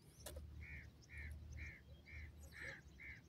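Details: Francolin (gora teetar / Irani teetar) calling: a short, clear note near mid-high pitch repeated about once every half second, six times, over a steady low hum.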